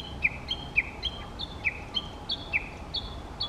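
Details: Warbling white-eye calling in mountain forest in Okutama, Tokyo, during an early-morning walk on a hot midsummer day: thin, high chirps, often in quick pairs, about one every half second, over a faint steady background hum.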